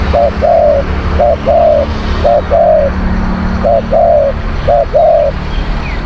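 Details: Zebra dove used to lure wild birds, cooing a short note then a longer trilled coo, the pair repeated five times at roughly one-second intervals, with low engine-like hum behind.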